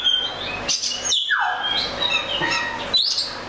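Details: Oriental magpie-robin phrase with a high thin whistle, a harsher note, then a descending slurred whistle falling in pitch, followed by softer warbles.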